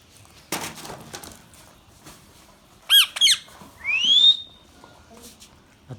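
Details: Baby ringneck parakeet, the Indian green parrot, utters two piercing squawks in quick succession and then a bright rising whistle, over soft rustling and clicks.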